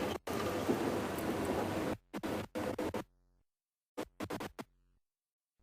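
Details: Electronic music with scratching effects and drum-machine beats, broken by abrupt silent gaps.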